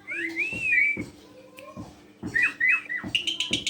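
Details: Black-collared starling in song, used to lure other birds into calling: clear whistled phrases sliding up and down, a lower drawn whistle, then quick warbled and high trilled notes, broken by sharp knocks and clicks.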